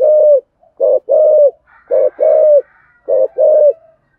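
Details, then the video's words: Decoy spotted dove giving thúc gù calls in a giọng thổ voice: paired low coos, a short note then a longer slightly falling one, in three pairs with a faint murmur between. "cu gáy thúc gù giọng thổ hay, tiếng chim cu mồi gáy gọi"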